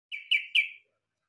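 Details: Yellow-vented bulbul song said to resemble a cucak ijo: three bright, slurred whistled notes in quick succession, the last two louder, each sliding slightly downward, with no other sounds.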